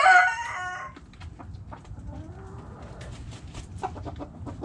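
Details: Backyard chickens: the loud harmonic tail of a rooster crow at the start, then quiet soft hen clucks and scattered clicking sounds.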